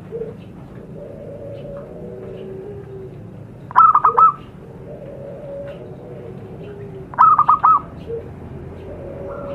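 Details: Wild zebra dove in its natural surroundings, used as a lure: two clusters of three or four soft coos about three and a half seconds apart, over faint drawn-out tones.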